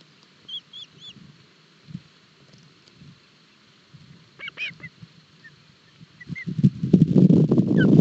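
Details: Osprey chicks being fed breakfast at a Barlinek Forest nest, Poland, 7 July 2022. Sparse high whistled piping in small clusters, ending under a loud surge of rustling and scraping.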